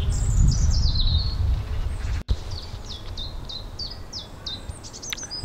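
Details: On a sunny day by a pond, a Common Chiffchaff sings a steady string of high, bright notes that alternate in pitch, like its name, several per second, over a low rumble of wind.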